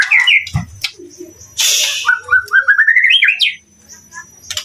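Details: White-rumped shama singing a clear, rising series of short whistled notes that climb steadily in pitch, preceded by a sharp whistle and a burst of harsh noise.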